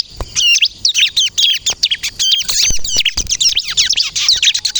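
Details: Bar-winged prinia, local name ciblek kristal, singing energetically as a lure to provoke captive birds into replying; fast high chirps and looping whistled notes tumble in quick runs, with a few short clicks below.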